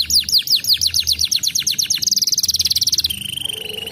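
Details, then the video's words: Crested fighter canary singing hard: a fast series of descending high sweeps, then a rapid buzzy trill, ending in a steady whistled tone with a lower soft note, faint low hum beneath. "kenari jambul gacor corr,kenari fighter langsung ngamuk gacor ngedurr"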